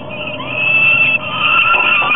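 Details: Two falcons at a nest ledge in Topeka on the evening of July 15, 2010, at 21:47. One flies in and will not let the other into the nest. Its loud, sustained, harsh wailing call holds steady, with brief pitch wavers.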